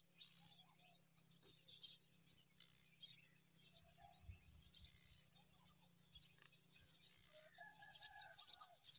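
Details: Five myna chicks fed date fruit by an adult; soft high-pitched hissing chirps come in irregular clusters, with a few lower whistled notes near the end and a faint background hum.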